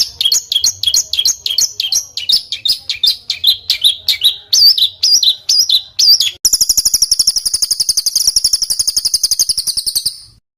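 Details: Bird song with rough, tight rolls, meant for training competition fighter birds: loud, jerky hooked whistles repeated about three times per second, then a long, very fast, even high-pitched rattle with a ringing buzzy tone.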